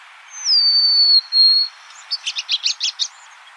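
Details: Golden-crowned sparrow song: a sustained high whistle gliding gently downward, then a brief break, then a quick run of about seven short, bright notes, all clear against a quiet background.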